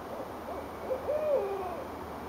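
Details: Owls answering one another from trees above a street in Richmond, Virginia, on January 8, 2012; a series of soft rising hoots climbs into a stronger, level, drawn hoot that then drops and fades.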